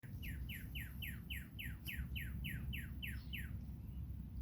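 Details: Blue Jay in a morning garden giving a quick run of about a dozen clear, down-slurred notes, roughly three each second, over a steady low rumble, with a cardinal calling in the background.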